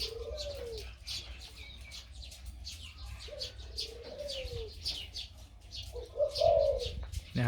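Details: Crossbred dove with a big voice, nearly a year old, singing 2-3 kuk phrases: low cooing notes that rise and fall, spaced a few seconds apart, with faint chirps from other birds above.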